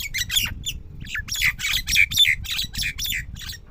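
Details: Jungle myna at a nest with sky blue eggs in Rajasthan: harsh, grating squawks in quick succession, about three or four a second with uneven spacing, over a soft low rumble.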